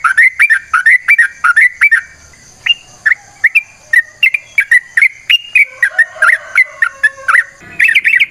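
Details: Yellow-vented bulbul recorded in the wild, used to provoke other bulbuls into singing: short bright slurred notes repeated rapidly, then spaced rising whistled phrases, with faint high ticking behind.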